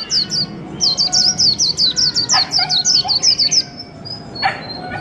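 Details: Caged white-eye kept over a month, singing a fast series of thin, high, slurred whistled notes, about a dozen in quick succession, then a brief pause and a few softer notes.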